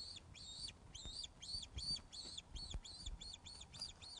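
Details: Osprey calling loudly at the Loch of the Lowes nest webcam, 21 August 2012, 16:35, around a fish delivery: rapid, evenly spaced piercing whistles, each note rising then falling, nearly three per second, with low knocks beneath.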